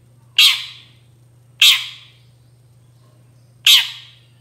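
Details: Long-tailed shrike, recorded as bait to make other shrikes respond, giving three separate harsh, buzzy screeches spaced one to two seconds apart over a steady low hum.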